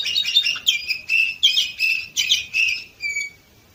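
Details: Canary from Varna, Bulgaria, 2018, delivering loud rolling trills in bursts of about half a second, bright and buzzy, ending with a thin clear whistle.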